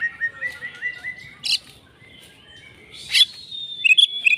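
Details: Oriental magpie-robin, a fighter bird in agitated fighting mood: a short series of thin whistled notes stepping upward, then sharp bright chirps and a high sustained whistle, with quiet gaps between.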